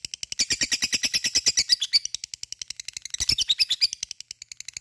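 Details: Lovebird in fighter, gacor form, giving a long ngekek chatter meant to provoke other lovebirds into singing: a fast, buzzy, high-pitched run of rapid pulses, swelling then fading, with a short break before another burst.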